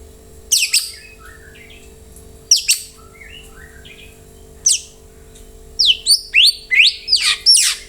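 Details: White-rumped shama song meant to prompt other birds to answer: sparse high, thin sweeping notes separated by pauses, ending in a quick series of sharp, high chirps, with a faint steady hum behind.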